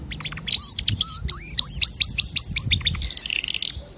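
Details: Singing male canary, a clean song meant for tutoring young canaries; rapid looping whistled phrases repeated several times a second, ending in a softer buzzy warble.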